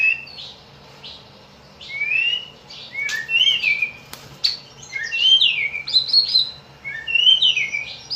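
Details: White-rumped shama song played to prompt other shamas to sing, morning and afternoon: varied sweet whistles, short chirps and slurred notes in quick bursts, with a sharp click midway and a steady low hum beneath.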